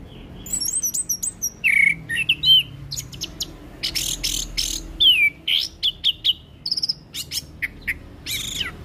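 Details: Orange-headed thrush singing energetically in a varied, mimicry-filled style, used as a training and stimulating recording for young birds: rapid bursts of high chirps, trills and clear whistled slurs, changing note types every second or so, with faint low background hum.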